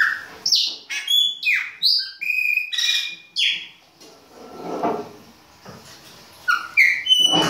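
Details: In the baianinho style, a Chopi blackbird sings in winter: a rapid series of loud clear whistles and slurred notes, a quieter noisy stretch in the middle, then another burst of bright whistled phrases.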